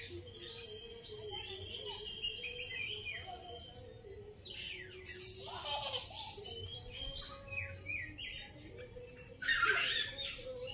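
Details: Grey-cheeked bulbul in a lively, varied chatter of short whistled notes, rising and falling slurs and harsh buzzy bursts, packed closely together over a constant low drone.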